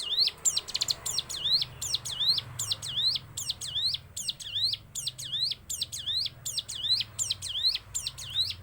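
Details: Rapid-fire hill prinia song in the style likened to a sewing machine: high, clipped, V-shaped chipping notes repeated over and over at a steady, mechanical pace, with a soft low rumble beneath.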